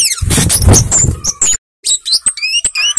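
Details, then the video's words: Flowerpecker, known locally as cabe-cabean or kemade, in lively gacor song: thin, high, sharp chirps and downslurred ticks, with broadband rustling noise through the first second and a half, then a short silence. "Suara Burung Cabe Cabean / KEMADE Gacor Ngalas Ngeplong"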